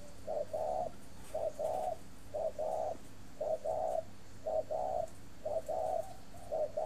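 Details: Captive breeding spotted dove at an aviary in Ba Vì, Hanoi, Vietnam, cooing steadily: short two-part phrases of a brief note then a longer mellow coo, repeated roughly once a second over faint background hum.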